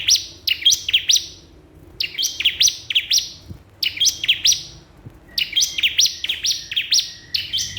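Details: Calling to a rival, a bar-winged prinia repeats four bursts of shrill, clipped chirps, each a fast run of three to five notes, spaced roughly every two seconds.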